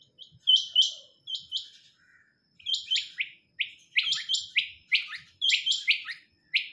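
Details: Female quail uttering crisp high chirps, singly and in doublets, at first spaced out and then in quicker tumbling pairs, with near silence between notes.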